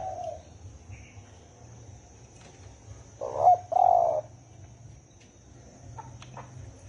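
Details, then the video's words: Spotted dove, thổ ồm and thổ đồng call styles: a single strong phrase of a short coo followed by a longer rolling coo, surrounded by quiet background hiss and a faint high steady tone. "Tiếng chim cu gáy thổ ồm kích thổ đồng siêu tốc lên cực nhanh cực hay"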